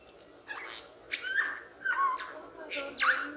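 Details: Lyrebird, described as a mimetic bird, giving a varied run of mimicked notes: three separate bursts, each a harsh, noisy onset sliding into a clear whistled tone, with short pauses between them.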